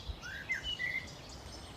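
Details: Common blackbirds in the New Forest sing soft, fluty whistled phrases that slide up and down in a quiet wood. The blackbirds are going crazy, with a robin also heard nearby.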